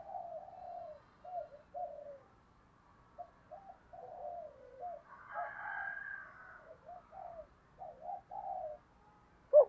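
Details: Deep-voiced 'thổ' spotted dove used as a lure, cooing to provoke wild birds: groups of short, low coos with a broader, harsher rooster-like sound rising briefly midway.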